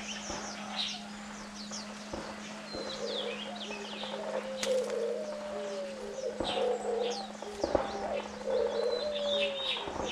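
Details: Diamond doves on day nine of rearing chicks, both parents feeding the young; soft low coos in the second half, several drawn-out notes, with many small birds chirping high in the background and a steady low hum.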